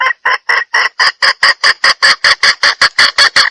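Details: Female red junglefowl giving a lure call for males: evenly spaced, loud, rasping clucks repeated roughly four times a second throughout.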